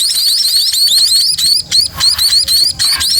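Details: Sparrow (pipit) chicks being fed by their parent give shrill, high, rapid begging calls, several voices overlapping three or four times a second in brief bursts.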